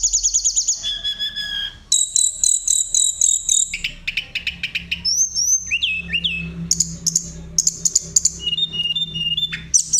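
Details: Sunda robin singing in a rolling, fluted style, offered as a song to provoke other birds; fast stuttering trills alternate with bright slurred whistles and short high bursts, each phrase changing quickly, and a faint low drone runs below.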